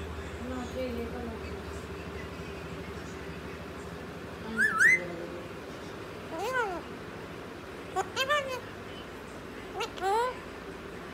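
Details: Parrot talking in Punjabi, heard as sharp whistled sweeps and squeaky rising-falling notes in short bursts spread across about eleven seconds, over a low steady background hum.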